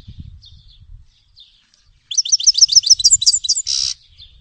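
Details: Song of a grey-headed goldfinch (Carduelis caniceps): faint soft notes at first, then a rapid rhythmic series of bright twittered chips ending in a short buzzy rasp.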